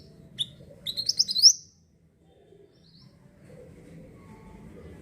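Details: Pied bushchat (mantenan) singing energetically, used as a lure for wild birds: one quick burst of high, thin, twittering notes lasting under a second, then near silence with a low background hum.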